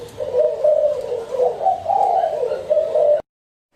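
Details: Spotted dove giving a run of soft, throaty coos, each phrase bending gently up and down, continuing steadily for about three seconds before cutting off into silence.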